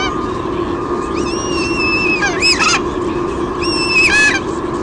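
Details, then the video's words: At a Sydney Olympic Park nest, Australia, on 23 June 2016, a female white-bellied sea eagle squeals when her mate delivers a fish: two bursts of high drawn-out whistled squeals ending in sharp chattering notes, over steady droning noise. "Dad bring's a fish, Mom squeals"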